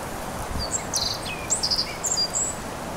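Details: A male Black-faced Bunting sings on Teuri Island, Japan, on 28 April 2019: a quick run of thin, high, tinkling notes and short buzzy slurs over a steady hiss of outdoor background noise.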